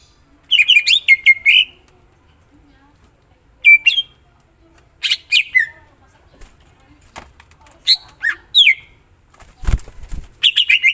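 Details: Greater green leafbird singing in full, with clusters of rapid sharp whistled notes and slurs, some rising steeply, separated by short pauses, plus a brief low thump partway through.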